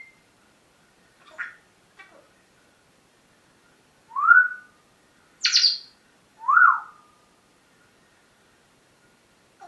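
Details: Morning parrot vocalizing: scattered soft chirps, then three louder notes about a second apart, two arched whistles around a sharp, bright squawk, followed by silence.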